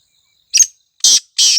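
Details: Black francolin, known locally as kala tetar, calling in forest: three harsh, grating, broadband notes, a short first note followed by two longer rasping bursts about a third of a second apart.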